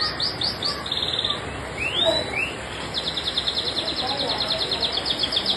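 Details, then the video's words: Canary singing long and continuously, with high, rapid rolling trills of repeated notes broken by a couple of quick rising whistled slides, over a faint hiss of background noise. "Kicau burung kenari gacor panjang"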